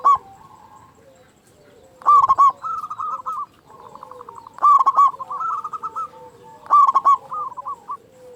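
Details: A local zebra dove with a big voice repeats loud phrases of quick, hollow ringing coos about every two and a half seconds, backed by continuous, quieter cooing from many more doves.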